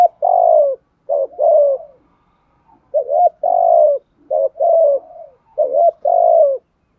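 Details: Spotted dove cooing in the 'thúc gù' and 'gáy gọi' styles, used to stimulate decoy doves. Low, throaty two-part phrases repeat about every one and a half seconds: a short rising note, then a longer falling coo. No other sounds.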